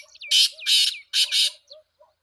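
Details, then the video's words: Harsh, rasping call of a black francolin: four broad, grating notes in two close pairs, with faint softer twittering in the background. "titar sultan voice"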